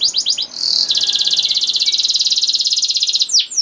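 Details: Canary song meant to prompt other canaries to sing: a few quick chips leading into a long, even, rapid rolling trill lasting nearly three seconds, closing with a downward sweep.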